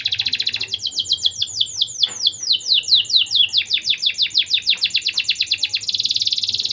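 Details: Canary lure song meant to boost breeding urge in young canaries: a short rapid trill, then a run of loud descending whistled slurs repeated about twice a second, ending in another fast high trill.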